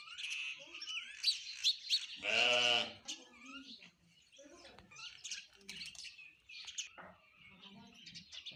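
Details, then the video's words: Sparrows eating food and chirping: busy high chirps and twitters, one loud, harsh, drawn-out squawk near the start, then steady scattered chirping. "eating Sparrow Chirping Sound | Sparrow Birds Eating Food Chirping"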